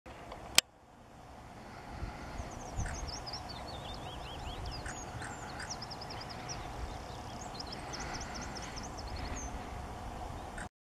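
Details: Male Ring ouzel (Turdus torquatus) at Ainsdale on 17 April 2023 gives quick bursts of high, chattering notes, faint over a steady roar of wind or distant traffic, with a sharp knock near the start.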